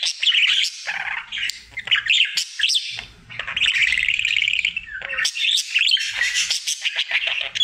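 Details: Daily singing routine of a male pet budgie: bubbly twittering warble with whistled rising notes and raspy chatter in irregular bursts, low hum faintly beneath.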